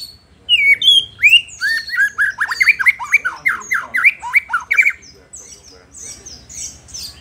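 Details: A White-rumped shama sings to stir up rival males, pouring out a loud, rapid medley of rising and falling whistles, slurred squeaks and high chirps that fades into softer twitters near the end.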